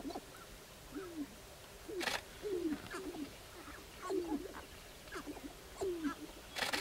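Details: Sharp-tailed grouse displaying on a lek in Northern Wisconsin on April 29, 2021: short low hooting coos that slide downward, repeated roughly every second, mixed with faint higher notes and several sharp broadband bursts of rattling noise.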